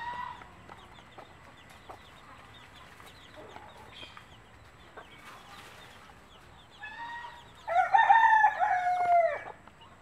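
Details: Mother hen of a native breed calling her chicks to food; quiet scratching and faint peeps at first, then loud, slightly falling, nasal harmonic calls near the end.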